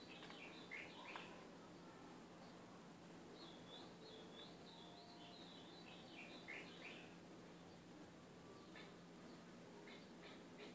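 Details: Training song for a caged capped seedeater, from an Ultramarine grosbeak. Faint liquid warbles run in a rippling series of high slurred notes, with short chip-like notes at the end, over a hissy background and a low hum.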